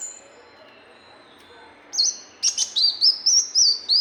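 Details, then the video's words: Brown-throated sunbird song used as tutoring audio for training birds: after near silence, a series of about eight high, wavering whistled notes, each sliding up and down, repeated roughly every third of a second. "MASTERAN SUARA BURUNG KOLIBRI MUNCANG"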